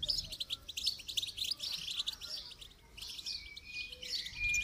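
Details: Goldfinch song played for song training: a continuous, fast, high twittering of buzzy trills and sharp chirps, broken by a short pause near the three-second mark, with faint low rumble beneath.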